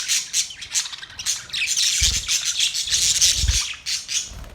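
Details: Australian parrots chirping: a dense, high-pitched wash of overlapping chatter and harsh squawks runs throughout, with dull low thumps near two and three and a half seconds.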